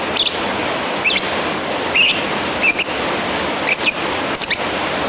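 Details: Lovebird calling a rival with six shrill, grating chirps spread over five seconds, the later ones trailing into a thin whistled tone, against a steady hissing background.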